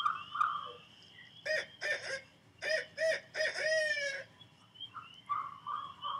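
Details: Barred Owl (hoot owl), one of Wisconsin's common owls, gives a rhythmic run of five or six resonant, barking hoots, ending in a drawn-out, slightly falling note; a faint voice is heard before and after.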